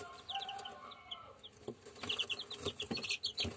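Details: Pure German Shamo chicks: bright, high, downslurred peeps tumbling in rapid clusters, several chicks calling together, with lower sustained tones early on and bumps and scratching noises throughout.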